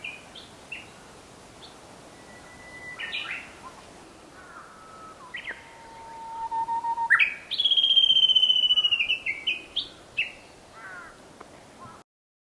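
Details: Japanese bush warbler song recorded 22 April 2020 between Zenshoji and Shofukuji temples, Japan: scattered chirps from other birds, then a long low held whistle followed by a loud, sharp, high warbled phrase with a sustained wavering trill and closing notes.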